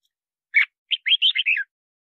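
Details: Red-whiskered bulbul phrase for attracting wild birds and training singers: a harsh chirp, then a quick chain of mellow whistled notes that rise and dip before a falling finish; clean, quiet background.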